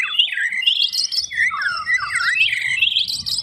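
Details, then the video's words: White-rumped shama in full song, delivering loud, rich whistled phrases that slide and warble between low and high notes in a continuous, varied stream. "Burung Murai Batu Gacor, Tembakan Keras, Suara Rapet"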